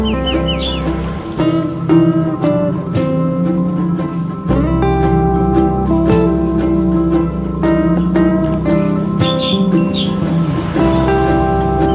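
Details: Plucked acoustic guitar music with a steady strummed rhythm fills the recording, and no clear animal sound stands out.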